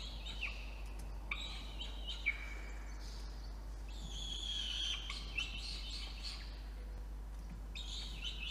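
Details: Peregrine falcon chick being brought food in a water-tower nest box in Orange, NSW, Australia, at night on 5 November 2021; fairly soft, scratchy high calls in a few irregular clusters over steady background hiss.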